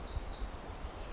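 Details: Female American Redstart song among several redstarts at Pine Tree Point in calm, warm, sunny weather: a quick run of about five thin, very high, slurred notes in under a second.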